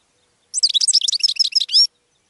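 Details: Brief, bright goldfinch phrase: a rapid jumble of high, liquid twitters ending in a drawn-out buzzy note.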